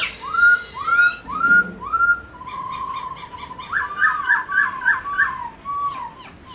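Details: Song of a White-browed laughingthrush, used to prompt pet birds to sing: four loud rising-and-falling whistles, a soft low phrase, then a rapid series of short looped notes.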